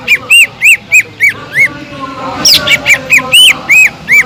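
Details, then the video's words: Cucak ijo (Sumatran leafbird) singing gacor to make other leafbirds agitated: a steady string of clear arched whistles, then a denser burst of slurred notes and high sharp strokes. "PANCINGAN CUCAK IJO GACOR INI SANGAT EFEKTIF BUAT CUCAK IJO KURANG EMOSI"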